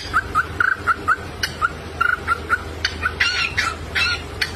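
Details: Pet cockatiel vocalizing cheerfully while dancing: short whistled chirps and warbling notes, some rising, some with buzzy upper tones, repeated irregularly over steady low background hum.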